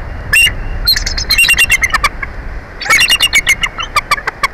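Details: Bald eagle calling at its Big Bear Valley nest, watched by a live camera during a nest exchange; quick strings of high, thin, staccato notes, some sliding downward, in two main bouts, with faint low background rumble.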